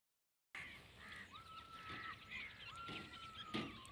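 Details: Female grey francolin calling: after a moment of silence, two long, steady, level whistles with a short rising start, over scattered short higher chirps and a noisy outdoor background.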